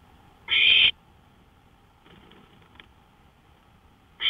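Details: Night recording from a porch, 1:53 AM on 5 May 2013: one loud, raspy owl hiss, a faint softer hiss in the middle, and another call starting at the close.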